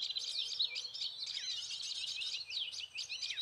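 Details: Prinia lure call known locally as prenjak lumut, played quietly from a phone placed low to attract birds into a trap: a busy stream of fast, high, twittering chirps and squeaky notes, tightly overlapping without pause.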